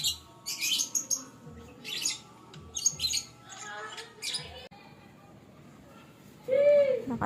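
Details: Lovebird sounds played to lure back escaped lovebirds: bursts of shrill, high chattering chirps for about four seconds, then after a quiet gap one harsher, lower squawk.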